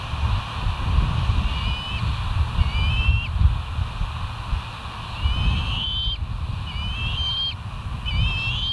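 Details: Morning call of bald eagles at the West End site, 17 September 2023, 06:50, from a live camera: short sets of shrill, slightly wavering whistles with pauses between groups, set against constant deep wind rumble.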